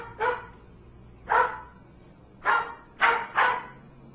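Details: Bird imitating a dog's bark: five short, hoarse bark-like yaps, spaced about a second apart at first, then two in quick succession, with a steady hum in the background.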